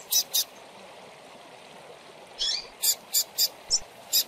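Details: Double-collared seedeater chick calling, used to excite captive birds: a pair of sharp high ticks, a pause, then a softer buzzy note and a rapid run of piercing clicks over constant hissing noise.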